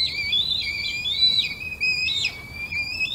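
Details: Morning red kite whistles from a microphone left outdoors: continuous quavering, overlapping whistled notes with small pitch wobbles, several voices layered together.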